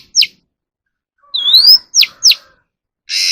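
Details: Oriental magpie-robin song for voice training of caged birds: one steep downslurred whistle, a long smoothly rising whistle, two more sharp downslurs, then a harsh buzzy rasp at the end, in a quiet setting.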